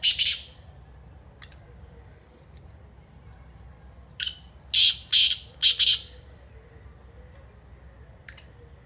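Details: Grating calls of a black francolin, known locally as kala teetar: one rough note, a soft tick, then a loud phrase of five rasping syllables over two seconds, and a lone thin note later.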